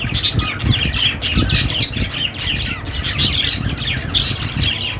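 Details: Budgerigars warbling and chirping nonstop, scratchy squawks interleaved with brief bright whistled notes, over a soft low rumble.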